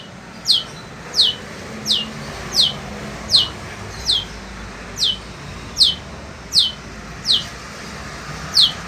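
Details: Caged long-tailed shrike of the sembur type, singing in fierce heat: a single sharp, downward-sweeping high note repeated steadily about every 0.7 seconds over a steady hiss.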